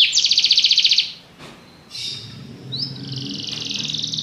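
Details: Belgian canary singing a fast, dense high trill, pausing amid a brief click and low background hum, then resuming with a rising slur and another rapid trill.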